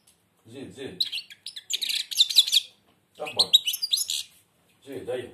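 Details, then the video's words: Blind European goldfinch singing with its beak almost closed. Bursts of high, jangling, twittering phrases come in two main bouts, while a man's low voice speaks encouragingly between and over them. "تغريد_الحسون أعمى سبحان الله يغرد ومنقاره شبه مغلوق"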